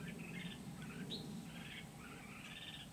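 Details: Red-whiskered bulbul song during bird trapping with a decoy at Kim Bôi, Vietnam, 8 September 2019: nearly continuous liquid warbling of slurred whistled notes, one sharp higher note midway, over a low droning hum.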